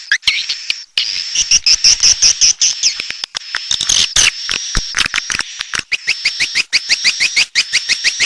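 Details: Red-nest swiftlets: dense high twittering chirps repeated rapidly over dry clicking, with a steady thin high tone running through most of the recording.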